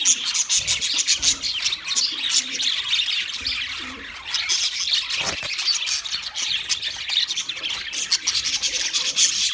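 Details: Wild budgerigars chirping as a group: a dense, continuous chatter of warbled, squeaky notes, high and busy throughout, with no pauses and no other clear sounds.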